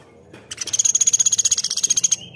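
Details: Velvet-fronted nuthatch singing actively: a single very high, rapid rattling trill of about twenty even notes in under two seconds, ending in a short falling note.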